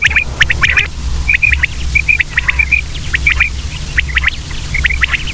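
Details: Common quail (batair) calling: crisp, high clipped notes grouped in twos and threes, repeated about every half second, with a steady low rumble beneath.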